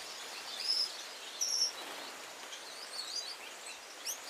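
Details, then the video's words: Gouldian finch song: two clear, high, drawn-out whistles early on, softer chirps later, and a final quick squeaky flourish, over an even background hiss. "Gouldian finch song call singing"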